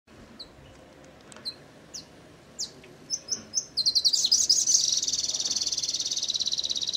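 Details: Yellow-bellied sunbirds, a male and a female: thin, sharp high chips at irregular intervals over the first four seconds, then a fast, dense, buzzy trill that runs on steadily to the end.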